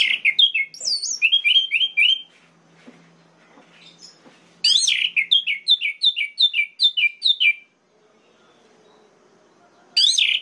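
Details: Orange-headed thrush singing, played to provoke other males into a fury: bursts of rich, slurred whistled notes repeated in quick series, with a high thin flourish, broken by a quiet gap of several seconds before the song resumes.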